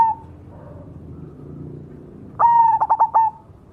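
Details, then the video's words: Song of a cemani zebra dove: the tail of one coo, a quiet gap, then a single full phrase. A clear whistled note breaks into four or five quick throbbing notes and ends in a drawn-out coo. "suara burung berkutut cemani gacor mangung"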